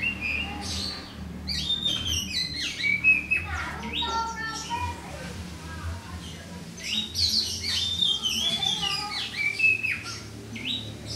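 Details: White-rumped shama singing alone in the morning: varied loud whistled phrases, rising and falling notes and sharp chirps in quick bursts, with low background hum.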